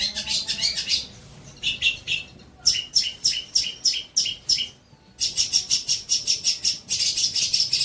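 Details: Trotol-style long-tailed shrike song for tutoring other birds: quick, bright, rattling note bursts, roughly one per second, in tight groups separated by brief silences.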